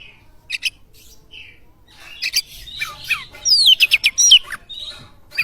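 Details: Oriental magpie-robin song meant to spur other songbirds into singing: scattered short whistles, then a lively run of rapid rising and falling whistled sweeps and sharp chirps, ending with a brief high note.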